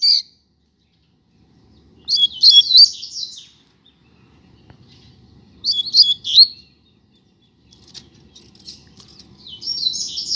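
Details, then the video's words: Street-side pair of double-collared seedeaters. High, scratchy song bursts about one second long come every three to four seconds, separated by near silence and faint low rumble. "Casal de Coleiro na Rua - Muita Fibra e Canto!!!"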